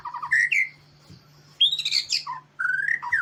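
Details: White-rumped shama of the Medan type, singing actively in a training recording for other birds: bursts of rich slurred whistles and high squeaky notes, rising and falling, broken by gaps of about a second, over a steady low electrical hum.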